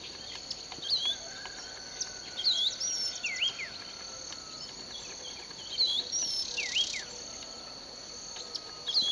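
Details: Unidentified bird singing in a sugarcane field at Bulechia, Western Kenya, in December 2011: sharp, high whistled phrases that swoop down, repeated every one to two seconds, over a steady high insect drone.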